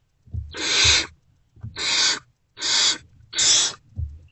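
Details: Nest-box Great Horned Owl owlets, unfed, react as an adult comes back, predawn 3 March 2024: four loud, long grating hisses in quick succession, with faint thumps.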